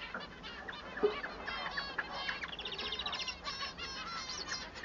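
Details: Male society finch singing, sung to tell the male apart from the female; a rapid jumble of short buzzy and harmonic-rich notes, with a rattling trill of quick repeated notes near the end.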